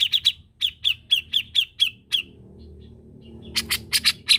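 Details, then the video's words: Grey-cheeked bulbul song: a rapid run of about ten sharp, clipped chirps, a brief pause with soft notes, then loud harsh grating notes. "tiếng chim có râu Cucak Jenggot Gacor Masteran Handal"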